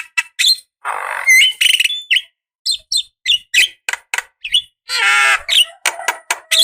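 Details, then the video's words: Javan myna, a female calling the male, played as a lure to make other mynas answer; a busy run of harsh squawks, rasping bursts and short bright whistled notes, broken by brief pauses, with some ringing upslurred notes near the end. "Suara Burung Jalak Kebo Gacor | Pancingan Maut Langsung Nyaut"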